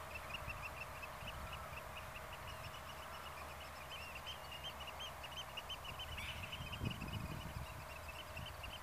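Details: Near Zoeterwoude in the Netherlands, a black-tailed godwit gives a long, rapid run of short, high, clipped notes, steady and insistent, with low rumbling noise underneath.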